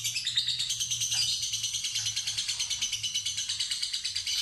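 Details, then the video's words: Lovebird of fighter type in a long ngekek ngetik trill: quick, harsh, evenly spaced pulses throughout, with a low electrical hum underneath. "Pancingan Lovebird Fighter Ngetik Ngekek Terpanjang"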